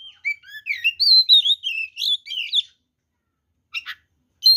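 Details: Oriental magpie-robin in fighting song full of varied fills, meant to make rival magpie-robins aggressive: a fluent run of sliding whistles and warbles for nearly three seconds, a pause, then short buzzy chips and a high whistle.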